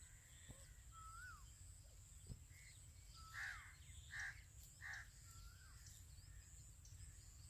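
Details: Grey francolin chicks calling while feeding: soft, slurred whistled peeps, then three brighter chirps under a second apart, over a steady high hiss and low rumble.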